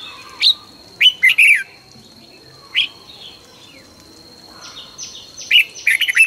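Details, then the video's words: Red-whiskered bulbul in morning song training, 2020, quick and intense: falling whistled notes in short groups, then a faster jumbled burst at the end, alongside a faint high electronic tone and softer chirps. "luyện chào mào hót sáng 2020- Hót hay nhanh căng lửa"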